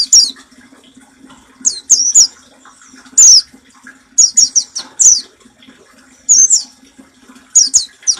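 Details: Training song of an Oriental white-eye in the nembak style for caged birds: bursts of thin, high, falling notes, often three or four in fast succession, with uneven gaps between bursts and a soft background hum.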